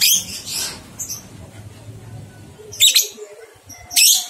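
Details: Lovebird on a 123-beat ngekek training recording aimed at two-month-old young birds; three harsh, shrill bursts arrive at the start, near three seconds and at four seconds, with a low murmur between them.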